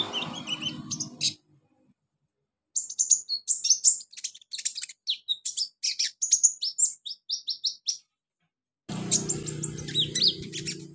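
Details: Olive-backed sunbird in energetic full song, used as therapy to spur other birds to sing: rapid runs of very high, piercing chirps and trills in dense bursts, broken by short silent gaps, with low background rumble near the end.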